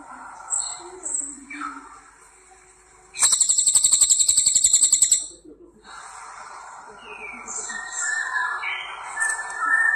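A crested jay gives a loud, dry mechanical rattle of about ten pulses a second for two seconds. Softer chirps and whistles from other birds surround it.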